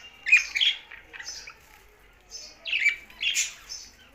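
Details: Budgies calling in short bursts of harsh, high squeaky chirps and buzzy notes, grouped in clusters with quiet gaps between.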